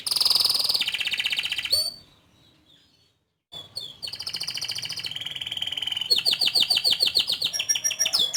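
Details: Canary song with loud buzzy trills, a short silent gap, then resumed rolling phrases and a rapid series of sharp repeated chirps at the end.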